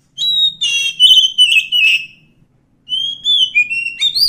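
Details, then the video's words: Wild Oriental magpie-robin, called kacer hutan, singing a varied phrase of clear whistled notes, rich warbles and slurs, pausing briefly before a second rising and falling whistled phrase ending on an upward note. "suara asli kacer hutan"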